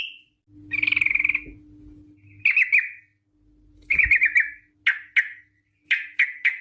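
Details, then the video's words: Sooty-headed bulbul lure song in the long rapid 'ropel' style: a trilled burst, then a series of short sharp chattering notes that grow more spaced toward the end, with a low background hum. "TRUCUK Gacor ROPEL PANJANG pancingan trucuk agar BUNYI, jadikan burung trucukan BUNYI ROPEL sketika"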